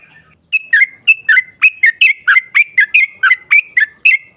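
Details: Female yellow-vented bulbul calling to provoke rival birds: about fourteen paired notes, each a clear high note dropping to a lower one, repeated roughly every quarter second.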